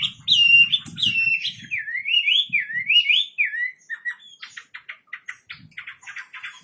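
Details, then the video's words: Wambi bird in full song for training other birds: clear slurred whistles that loop up and down in a wavy pattern, followed by a quick series of short, dry chip notes. "Burung wambi istimewa gacor full"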